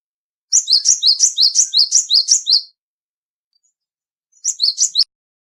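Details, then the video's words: Loud song of a small black, white and grey cinereous tit: a bright, high two-note phrase repeated briskly for two seconds, a pause, then a shorter run of the same phrase. "suara burung gelatik batu"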